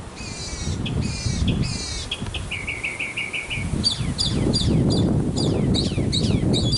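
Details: Backyard male mockingbird singing to attract a female, a bird said to make up to 200 sounds: harsh stacked rattling notes, a fast series of clipped whistles, then sharp downslurred chips, amid loud rustling and wind noise.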